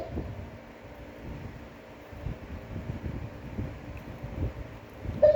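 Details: Steady low wind rumble and microphone buffeting, with a short faint tonal blip near the end and no clear animal call.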